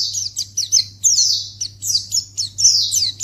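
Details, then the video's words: White-eye calls used as a lure to make other white-eyes respond: rapid, very high chirps and short downslurred notes in quick bursts, with brief gaps, over a steady low hum. "Pleci Akan Langsung Merespon Memancing Bunyi Burung Pleci"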